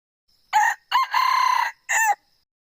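A male red junglefowl gives one clipped crow in three harmonic parts: a brief opening note, a longer throbbing middle, then an abrupt end. No other sounds.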